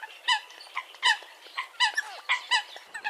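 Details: Eurasian coots giving short nasal, honking calls, several birds overlapping, with louder notes roughly every half second and fainter calls between.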